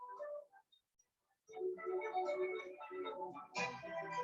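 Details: Music with sustained, layered tones fills a small room, broken by a brief quiet gap. No animal sound is heard.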